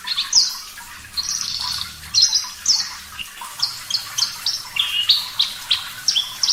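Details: Clear, actively singing Javan bush lark of the parva type: emphatic high chirps and downward slurs repeated every half second or so, growing into a steady run of bright whistled notes.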